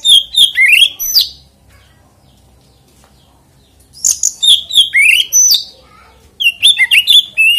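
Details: Oriental magpie-robin singing to stir other magpie-robins into song: three bursts of clear whistled and slurred notes, each roughly a second or more long, separated by quiet gaps of a few seconds, with sharp high chips mixed in.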